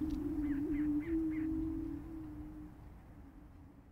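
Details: Low booming hum from prairie chickens at a display ground in Minnesota, USA, with four quick yelping notes near the start before the drone slowly fades away.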